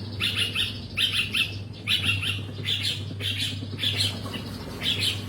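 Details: Long-tailed shrike singing energetically (gacor): harsh, buzzy double and triple notes in quick bursts about every second, with scratchy upper overtones, over a steady low hum.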